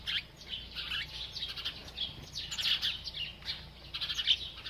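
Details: Several village sparrows, playing and bathing, chirp almost without pause in bright, short, overlapping cheeps and twitters at a busy, uneven pace, with no other clear sounds.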